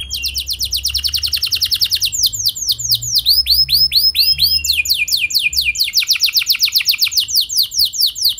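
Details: Caged canary singing a lure song used to prompt other canaries to sing along: fast, continuous trills of repeated high sweeping notes that switch between several syllable types, roughly every second or two, with a faint low hum beneath.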